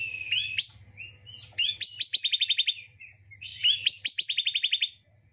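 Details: Bar-winged prinia, its song used to prompt a silent bird: two and a half phrases, each a rasping rising note then a rolling burst of about eight sharp, quick notes. A soft low hum lies underneath.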